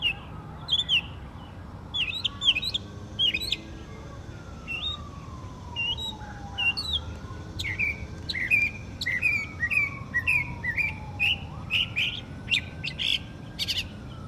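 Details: Northern mockingbird singing on 12 October 2024 in Savannah, Georgia: a varied string of high chirps, trills and squeaky phrases changing every second or two, over a distant wailing siren that slowly falls and rises.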